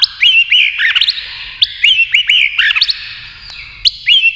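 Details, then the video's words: White-rumped shama singing fast against a TV while flicking its tail: short, loud, repeated phrases of twisting whistles and chips, about three bursts close together, with a brief quiet spell before the last. "kích chòe lửa hót đấu với tivi cực căng lửa"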